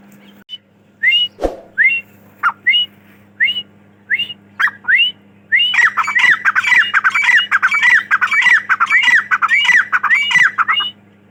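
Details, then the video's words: Grey francolin (Dakhni teetar) gives sharp, squawky, rising notes about once every half second, then breaks into a fast, harsh, overlapping chorus of repeated calls, with a low steady hum underneath. "Dakhni Teetar ki Awaz"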